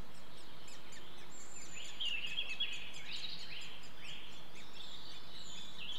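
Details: At a nest-hole in Clyne Woods, Swansea, Wales, great spotted woodpeckers feed their young in May 2014. Harsh, buzzy descending notes come roughly three per second over constant low background noise, with faint other birdsong.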